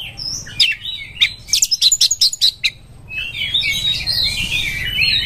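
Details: Oriental magpie-robin in breeding condition, song meant as a lure for other birds: a few whistles, then a burst of sharp clicking chirps, followed by jumbled twittering over a steady hiss.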